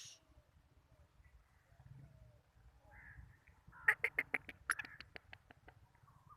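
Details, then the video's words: Black francolin in Sindh, Pakistan, giving a harsh, rattling series of about eight rapid clicking notes after a quiet start, with faint low rumble underneath. "Kala Teeter"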